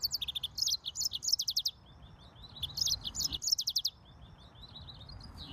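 Atlantic canary singing two bright, high-pitched bursts of rapid trills and twittering notes, each lasting over a second, with a soft background hiss.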